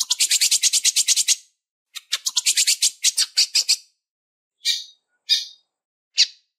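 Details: Female lined seedeater calling and asking for mating to excite males: two long runs of rapid high buzzy pulses, about nine per second, followed by three slower, widely spaced sharp chips.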